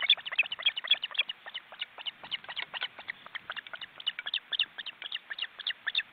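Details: Ospreys at a crowded nest in an Estonian forest reserve, filmed by a live webcam, the nearly grown chicks flapping their wings. Dense, overlapping, sharp high chirping calls pour out rapidly and unevenly throughout.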